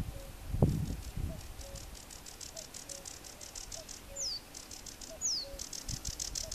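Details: A sedge warbler south of Västerås airport, Sweden, gives a fast, dry, chattering song with two thin, sharply falling whistles; soft low repeated notes and wind rumble underneath.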